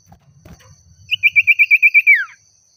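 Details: Rival-seeking common iora delivering a quick regular burst of eight to nine sharp notes that ends in a long downward slur, preceded by soft low rumbling.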